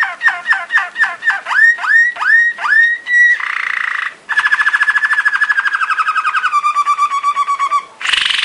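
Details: Belgian Waterslager song canary in a training song: repeated falling water-drop notes about three per second, a soft bubbly roll, then a long trill stepping lower and a final buzzy burst.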